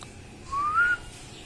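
A parrot gives one clear, pure whistle that rises slowly over half a second, with only a faint hum of background noise.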